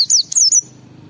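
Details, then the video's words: Brief fragment of lively white-eye ngalas song for prompting other white-eyes: three quick, very high whistles, each sliding downward, then fading to a low murmur. "Suara Burung Pleci Gacor membuat Semua Pleci langsung ngalas"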